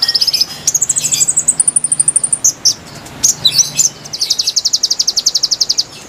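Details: Song of the konin, played to lure wild birds: a short high trill rises to a sustained very high buzzy run, then scattered chips and a long even ticking rattle.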